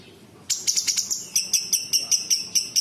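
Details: Cucak cungkok bulbul song with imitation phrases: a burst of bright, rattling notes followed by a steady series of sharp, high pulsed chirps, evenly repeated.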